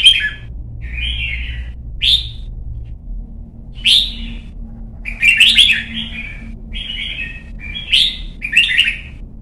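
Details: Young Red-whiskered bulbul kept caged and trained to sing in competitions: a run of bright chirps and warbled phrases, several loud bubbling bursts close together near the end.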